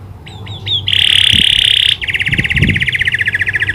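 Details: Canary with learned prinia click calls: three short rising chips, then a loud steady buzzy trill lasting about a second, followed by a fast pulsing rattle.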